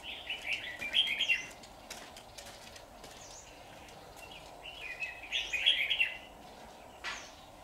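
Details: Red-whiskered bulbul singing during a trapping session on 23 September 2019, with a decoy bird used to lure wild birds. Two bursts of quick, warbled, chattering phrases about four seconds apart, with scattered clicks, faint background hiss and a sharp tap near the end.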